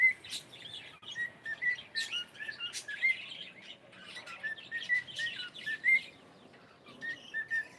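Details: A pet cockatiel says good morning in two bursts of rapid whistled and chirped syllables, each note short and bright with an upward flick, separated by a brief quieter gap.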